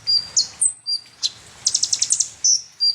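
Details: Sunbird (konin, kolibri ninja) song played as a provoking lure: high sharp notes and thin whistles, then a quick rattling burst of about eight clipped notes, followed by two more drawn-out whistles, over faint background hum.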